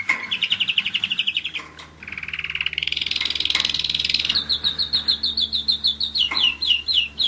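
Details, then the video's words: A one-year-old German Roller-split canary sings rapid buzzy rolling trills that rise and swell in pitch. They lead into a rhythmic series of repeated down-slurred whistled notes. "german roller-split canary"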